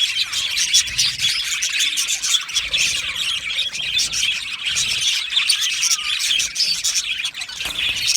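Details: Many Australian budgies in an aviary making continuous chattering song, buzzy warbles mixed with squawks and chirps, level and crowded throughout.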